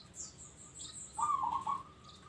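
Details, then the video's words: A local zebra dove in active song gives one warbling, trilled coo phrase, preceded by thin, high twittering notes from other small birds. "Bunyi Perkutut Lokal"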